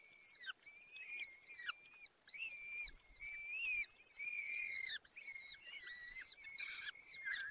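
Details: A male Peregrine falcon feeds chicks at a nest in the Barycz Valley on the afternoon of 30 April 2020. Short, arched, whining calls repeat every second or so, growing longer and more insistent toward the end.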